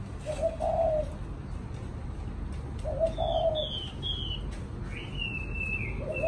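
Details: Pet spotted dove in a cage giving low mellow coos about every two and a half seconds, while another bird whistles thin high notes in the background.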